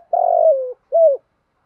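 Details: A spotted dove coos in the fight-provoking calling style used to train decoy birds. One long, slightly rough note slides gently downward, then a short, rounded coo follows, both low and mellow in quiet surroundings.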